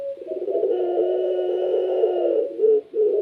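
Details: Long, steady, throaty coo from a kept puter pelung Barbary dove, used to make other doves sing along, held for over two seconds and ending in two short abrupt notes.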